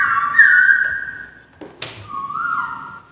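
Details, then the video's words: Laughingthrush singing a clear, loud whistled note held near steady pitch, then a sharp click and a short rising whistle that levels off, with quiet gaps between phrases. "BURUNG POKSAY DENGAN BERKICAU MERDU"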